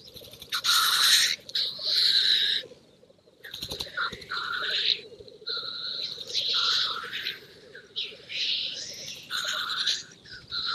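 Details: Black grouse on a moorland lek before dawn, challenging for territory and greyhens: a steady, low, dove-like bubbling chorus under loud, harsh hissing sneezes every second or two.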